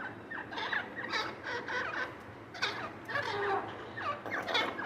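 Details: Francolins, possibly black or grey francolins, at eating time give bursts of harsh, chattering, gobble-like notes in quick clusters about every second, over a steady faint background hiss.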